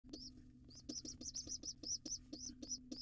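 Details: Wild pigeon nestling at a nest box, arriving late to breakfast with its father: thin, high squeaky peeps, each slightly rising then falling, repeated about four times a second against a steady low hum.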